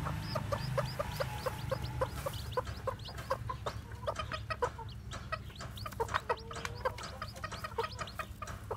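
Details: White black-tailed Japanese bantam chicks, newly hatched, walking about: dense run of short clucking notes and thin high peeps, several birds calling together almost continuously, with a low background hum.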